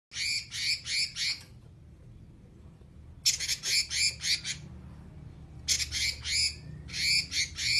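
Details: Oriental magpie-robin in full voice with long 'nyerecet' rasping chatter: three bouts of rapid harsh, buzzy pulses about four per second, separated by pauses, over a steady low hum.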